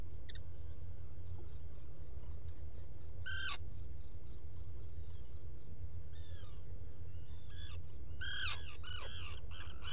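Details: Black guillemots at a nesting burrow on Seal Island NWR, Maine, recorded July 5, 2018 between about 06:41 and 07:41 in the morning: thin, high squeaky calls with sharp downward-bending notes in short bursts, clustered near the end, over a steady low rumble.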